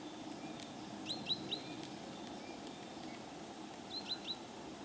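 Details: A three-toed woodpecker, a rare visitor here, in snowy late February gives two quick bursts of three sharp, high, clipped notes about three seconds apart, over a steady low rural hum.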